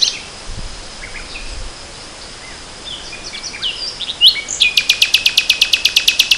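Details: Spring 2014 nightingale: faint scattered chirps and soft whistles at first, then a sudden loud note followed by a fast, very regular rattling trill of high repeated pulses continuing to the end.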